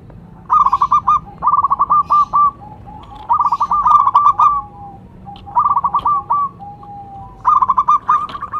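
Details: Local zebra dove (perkutut lokal), a strong singer used as a lure and to prompt other doves to sing, giving five bursts of rapid staccato cooing notes at mid pitch, separated by short pauses, with a faint drawn-out tone between phrases.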